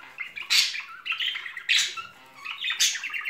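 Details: Pair of budgerigars, a loving couple in spring mood, trading harsh squawky chirps roughly every second, with soft warbling chatter between the louder bursts.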